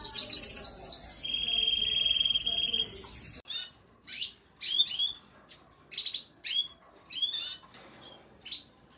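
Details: Red and yellow canaries: a held high whistled trill with chirps over it, then after a sudden cut a series of separate sharp chirped phrases spaced about half a second apart.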